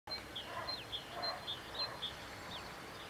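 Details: A Lesser Whitethroat sings at Velké Poříčí on 8 May 2015, giving thin, high notes and short down-slurred chips at a brisk, uneven pace over a steady background hiss.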